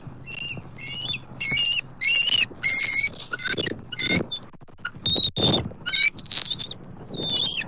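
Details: Bald eagles at a Southwest Florida nest on October 29, 2024, the male delivering food to his mate. Harsh, shrill squealing notes in quick uneven bursts, some with a bright whistled edge, over faint low rumble.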